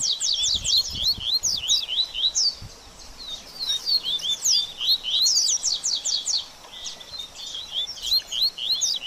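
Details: Post-moult stimulation 'baderninha' of double-collared seedeater: rapid series of sharp, high chirps and slurred whistles in repeated clusters, with a quieter stretch around the middle and low background noise.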